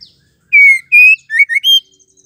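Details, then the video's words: Female white-rumped shama call used as a lure to excite males into singing: a clean phrase of five loud whistles, two long level notes, then two short slurs and a higher closing note. "MURAI BETINA PENGGACOR AMPUH RESPON CEPAT AUTO GACOR"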